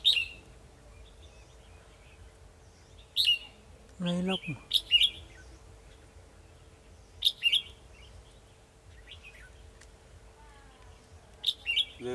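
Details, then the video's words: Decoy red-whiskered bulbul singing at a trap set to catch a rival on 2 December 2020: sharp high chirps and brief whistled notes in bursts every few seconds, with a short human voice and a constant faint hum. "Bẫy chào mào Đấu lắc lư"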